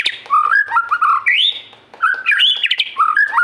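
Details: White-rumped shama in energetic song: rich varied whistled phrases jumping between lower and higher notes, a clear rising slurred whistle midway, fast changing sequences with short pauses and a slight room echo.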